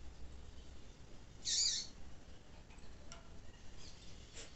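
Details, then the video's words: A female double-collared seedeater calls, a recording used to warm up and stimulate males to sing. She gives one brief, high, hissy call, then a few faint thin ticks over a steady low hum. "fêmea de coleiro chamando para esquentar e deixar seu coleiro quente"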